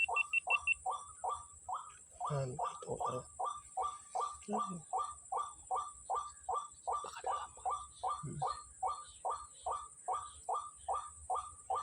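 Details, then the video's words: White-breasted waterhens, plentiful on a Sunday morning at Kepasar: long even series of short falling notes about two and a half per second, a few rough overlapping calls around two to three seconds, high insect whine throughout. "NYANGGONG BURUNG RUAK RUAKNYA BANYAK SAAT PAGI HARI MINGGU DI KEPASAR"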